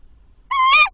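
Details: At 21:50 a male tawny owl calls once before delivering a mouse to the nest. The call is a single short, harsh, nasal note, rich in overtones, fairly level, then dropping at the end. The background is quiet.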